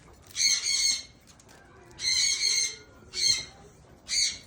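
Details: Blue eared pheasant eating green grass; four harsh, raspy squawking bursts, each lasting up to about half a second, spaced unevenly across a few seconds, with faint background noise between them.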